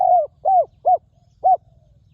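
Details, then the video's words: Wild spotted dove with a fine, very resonant voice: four mellow, low cooing notes, the first drawn out and the next three shorter and evenly spaced, over a faint low rumble. "นกเขาใหญ่ต่อดิน [เจ้าสามส้มหยุด] EP11 นกป่าคารมเสียงดี กังวานมาก"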